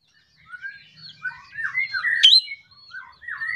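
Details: Ashy drongo (srigunting kantil) in lively morning song meant to spur other birds to sing: short slurred whistles and warbled phrases, with one sharp, bright click in the middle, in a quiet setting.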